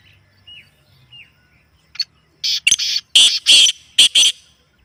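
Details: Black francolin, natural recording meant to set a kept bird calling: soft thin whistles of small birds, then a loud grating phrase of harsh, buzzy notes in quick uneven succession.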